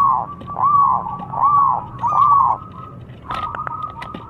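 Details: {'caption': 'Local zebra dove (perkutut) singing to provoke rivals: three arched, rising-falling coo notes about once a second, then a steady faint tone with clicks and knocks.'}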